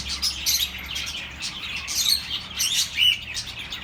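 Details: Pet birds chattering, a calming sound for lonely birds; quick high chirps and a few clear whistled notes rise above a constant murmur of overlapping twitters.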